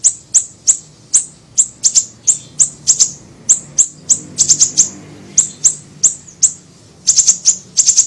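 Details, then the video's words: Lure and training recording of a small siri-siri bird giving thin, piercing, very high chip notes, single or in rapid clusters of three to four, repeated steadily throughout with little background. "MASTERAN PANCINGAN PIKAT SUARA BURUNG SIRI SIRI KECIL"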